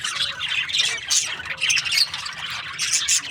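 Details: Breeding-season budgerigars chattering in pulsing bursts of scratchy, squeaky chirps and short whistled notes.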